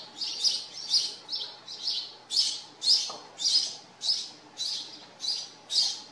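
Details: Farmyard house sparrows giving a steady run of loud, bright chirps, almost two per second, each short and similar, with a faint low hum underneath.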